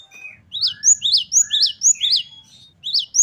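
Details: Gelatik batu, or great tit, singing a varied gacor song: a clean run of loud, sharp, upward-sweeping notes about four per second, fairly quiet background.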